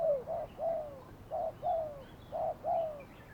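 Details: Decoy spotted dove at a Thai trapping site, cooing steadily in soft hollow notes, short and long notes alternating about once a second, each long note gently falling at its end.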